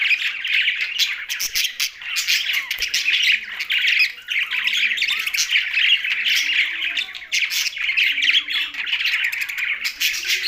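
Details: Budgerigars housed with a parrot in Larkana, Sindh give constant scratchy chatter, sharp squawks and bright chirps from several birds together. Occasional low cooing arcs sound in the background.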